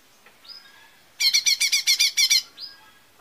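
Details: Lesser green leafbird lure song: a soft whistle, then a loud burst of about seven rapid, harsh chattering notes, closing with another thin slurred whistle.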